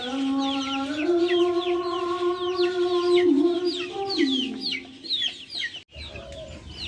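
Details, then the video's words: Backyard chickens give a continuous low moaning call that wobbles and rises, then fades, with busy high chirps layered on top and a sudden cut near the end. "Backyard chickens making noise"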